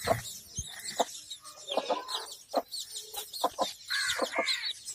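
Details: Domestic hen with her chicks: short, throaty clucks repeated irregularly, about one or two each second, over a constant busy layer of high, thin cheeping from the chicks.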